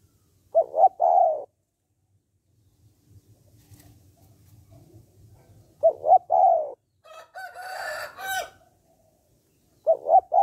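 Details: Spotted dove call used to stimulate males to call quickly: low, hoarse three-note coos, two short notes then a longer drawn note, repeated about every five seconds, with a harsh, noisy crowing burst from another bird between phrases.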